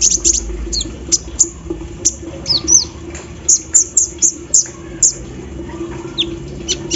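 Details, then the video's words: Sunbird (kolibri ninja) singing steadily while kept out in the morning dew, its song said to carry embroidery-machine-like filler phrases; thin, very high chirps and short downslurred ticks, roughly one or two per second, over a low steady hum. "KOLIBRI NINJA GACOR SAAT DI EMBUNKAN PAGI HARI ISIAN MESIN BORDIR"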